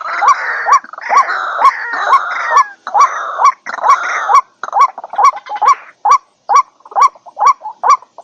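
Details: White-breasted waterhen sound, trimmed and used to lure waterhens, gives harsh, nasal croaking notes, each with a quick upward hook, repeated steadily about twice a second, with no other sounds standing out.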